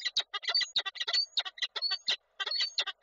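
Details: At a Koszalin falcon nest on 23 July 2023, the male meets the female: a rapid, harsh, rasping chatter of clipped notes, about six per second, broken by brief pauses.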